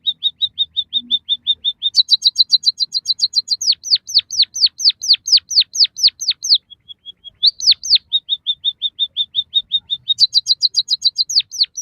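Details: White-headed munia song for training caged birds: a fast train of short level notes turns into layered high chirps, then long downward-sweeping whistles repeated steadily, a few thin pips, and another level run ending in chirps.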